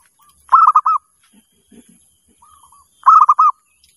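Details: Zebra dove calling as a lure: a soft, low introductory note, then a quick trill of four or five bubbly rolling coos, repeated after about two seconds, with faint low knocks between phrases.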